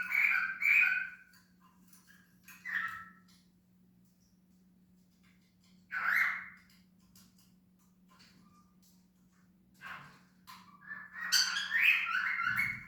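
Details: Cockatiel giving loud, harsh bursts of screeching calls separated by pauses of a few seconds, ending in a longer rapid series, with a faint steady low hum throughout.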